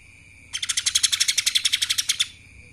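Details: Lesser green leafbird in kapas tembak style, giving a fast, even string of about twenty bright high notes in under two seconds, preceded and followed by a faint steady tone.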